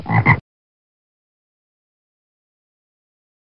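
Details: A short spoken word lasting under half a second is followed by complete silence for the rest of the recording.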